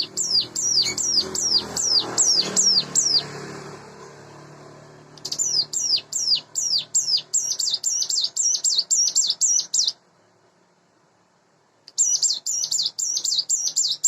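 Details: Morning song of a hand-reared captive Sunda bush warbler, roughly eight months old: rapid bursts of very high, hooked, down-slurred notes in quick series, pausing twice and resuming, with a soft low background rumble early on.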